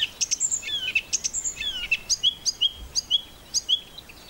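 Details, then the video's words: Singing song thrush on Castlemorton Common near Malvern, May 2021, pouring out high, varied whistles and squeaky notes, then settling into a short clipped motif repeated four or five times at a brisk pace. "A minute of birdsong: Song thrush"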